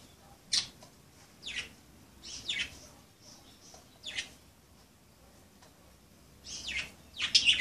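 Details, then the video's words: Budgerigars playing, sharp high chirps spaced about a second apart, then a louder cluster of scratchy notes at the end. "Pericos australianos jugando"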